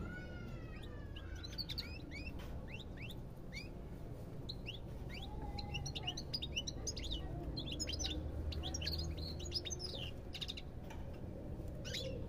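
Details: A goldfinch twitters busily, pouring out many short, bright chirps and rising slurs about two each second, with a few longer falling whistles near the start and a low rumbling hum underneath.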